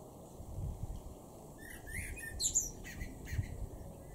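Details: A male common blackbird in a garden in Weener, East Frisia, northwest Germany, in May 2022, sings a short, mellow fluted phrase that breaks into a squeaky high twitter, over a steady low background rumble.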